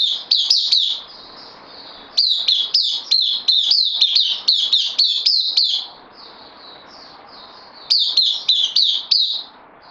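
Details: Bulbul on loan, caged, delivers clustered bursts of sharp high notes, each sliding downward, separated by gaps filled with soft distant chirping.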